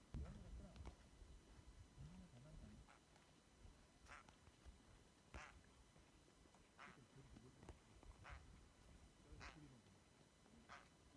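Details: A goose flock on Værøy, Norway gives short, harsh honks at an irregular pace, roughly one every second or two, over a steady low rumble of wind.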